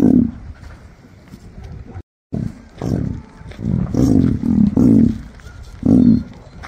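An emu gives deep, throaty grunting booms in short bursts, several in quick succession with brief pauses between, and little else in the background.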